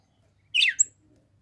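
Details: Female red-cowled cardinal in the caatinga of the Brazilian sertão in summer, calling to stimulate the male: a single brief sweeping chirp falling from high to mid pitch, followed by a short thin high note, in a quiet setting.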